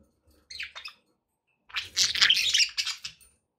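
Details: Budgies indoors chirping: a brief scratchy chatter, a pause, then a longer, louder burst of harsh, noisy warbling and squawky chatter lasting over a second.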